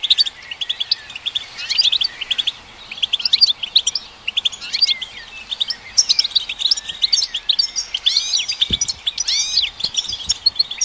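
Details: Song of the European goldfinch meant to stimulate goldfinches: lively tinkling twitters in bursts, interspersed with buzzy trills and looping slurred notes, a short break near five seconds, one soft knock late on.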